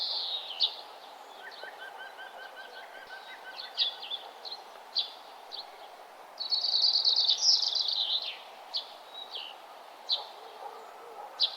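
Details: Sunrise birdsong along a nature trail; sharp high chirps spaced through the clip, a faint repeated trill, and a loud fast twittering run midway, over steady soft outdoor hiss.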